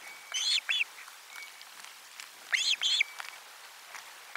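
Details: Osprey at nest 4, lunchtime fish on 12 July 2022: two pairs of arched whistled chirps about two seconds apart against a noisier hiss, with a thin level whistle after the second pair.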